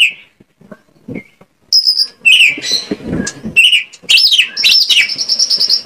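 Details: Song of the white-rumped shama, used as a lure to draw out singing: scattered soft notes and a pause, then a dense stream of high whistles, harsh bursts and swooping phrases.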